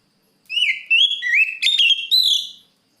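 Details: Oriental magpie-robin song aimed at a rival, a string of four or five rich whistled notes, each rising or curving, with a buzzy burst in the middle, lasting about two seconds.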